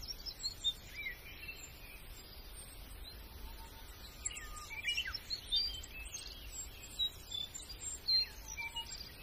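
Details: Several birds sing faintly, with short high chirps and thin twittering notes scattered throughout and one long, level whistle near the middle, over a steady background hiss.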